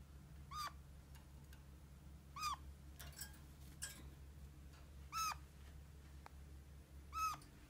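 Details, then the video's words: Pet red-crowned parakeet (kakariki) uttering four spaced, plaintive mewing squeaks about two seconds apart, with scattered clicks and rustling between the calls. "Как разговаривает какарик"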